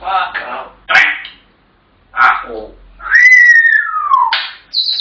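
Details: African grey parrots mimicking: a few speech-like, voiced syllables, then a long clear whistle sliding slowly downward and a short high whistled note at the end, with brief silent gaps.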